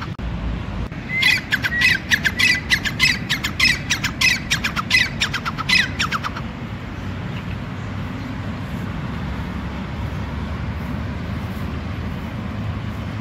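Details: A male grey francolin calling gives a loud burst of harsh, shrill notes, about two per second for five seconds, then falls silent over a steady low rumble of wind or distant traffic.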